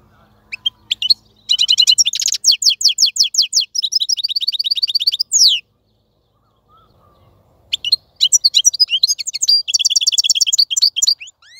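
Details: Wild European goldfinch kept in a cage, singing without stopping: long runs of rapid, high, rattling trills and twittering, a brief buzzy stretch, then a quiet pause before the song resumes.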